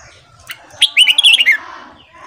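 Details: Morning song of a red-whiskered bulbul for training: a soft lead note, then a loud, lively phrase of rapid slurred whistles descending in pitch, trailing off into quiet background.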